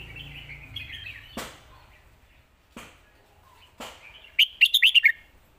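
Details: Red-whiskered bulbul singing a 'lak wai' style master song: quiet warbling, sharp clicks, then a loud quick phrase of about six bright, jumpy whistled notes near the end.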